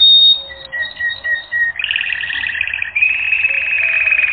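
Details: Canary training recording: thin high whistled notes and a soft repeated tone, then a bright rapid trill rising into a sustained buzzy roll.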